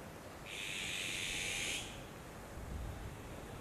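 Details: Female Japanese sparrowhawk, filmed 18 June 2019 after taking a starling from the male, plucking it at her usual spot before flying toward the nest, gives one drawn-out, high, shrill, slightly rasping note over a low outdoor rumble.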